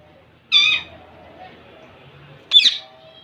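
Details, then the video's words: Indian ringneck parakeet, a young male courting a female, gives two loud, harsh, ringing squawks about two seconds apart, with faint background hum between them. "baby mail parrot impress female ringneck"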